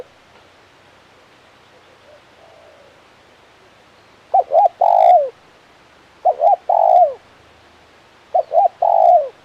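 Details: Spotted dove, a luring tekukur, quiet at first with a faint distant coo, then three loud phrases of two short notes and a long falling coo, evenly spaced.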